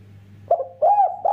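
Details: Spotted dove, a lively caged training bird used as a lure recording to prompt other doves to call. Short, full, tonal coo notes come at roughly 0.4-second intervals after a quiet start, over a steady low electrical hum.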